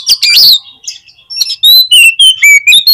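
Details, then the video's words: Oriental magpie-robin song meant to excite rivals: a harsh scratchy opening, then five or six clear, evenly spaced whistled notes. "CUKUP DI PLAY 3 MENIT BIKIN KACER LANGSUNG EMOSI TINGGI !!! PASTI CEPAT ON"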